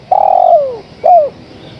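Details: Female spotted dove calling to the male: a long, steady throaty coo that slides downward at its end, then a pause and a shorter, falling coo.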